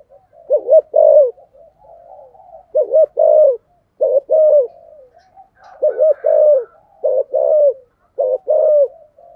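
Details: Low cooing from a caged decoy spotted dove in the 'giọng thổ' style: about six loud phrases, each two short coos and a held note, with quiet warbling between them.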